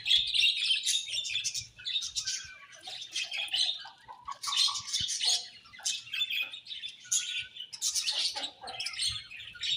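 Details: Nonstop budgie chatter: high twittering, scratchy chirps and warbled notes from several birds, rising and falling in loudness in uneven waves.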